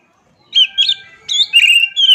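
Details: Oriental magpie-robin (kacer) giving short bursts of bright whistled notes over a faint steady tone, the phrases broken into quick sliding syllables.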